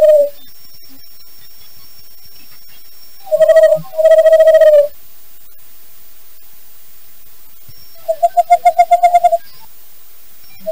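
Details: Western Screech Owl, a nocturnal Idaho cavity and nest-box nester, calling with low hollow tones. Two sustained notes come in the middle, followed near the end by a rapid series of about ten short pulsed notes, separated by quiet gaps.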